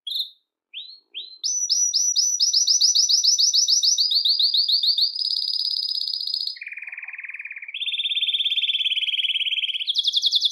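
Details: Belgian canary song meant to attract and call canaries, with quick rising notes leading into long runs of rapidly repeated sweeping notes that step down in pitch, then a low buzzy roll and higher rolling trills.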